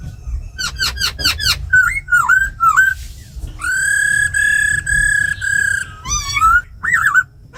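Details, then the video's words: Laughingthrush recording said to be a female giving 'ro khẹt' calls with a tamed black laughingthrush singing in wild style, used to excite wild-caught birds. Fast downward-sweeping notes, whistled slurs, a long sustained harmonic note, a brief trill, and a low hum. "Tiếng chim khướu mái ro khẹt + khướu mun thuần hót giọng rừng kích bổi căng lửa"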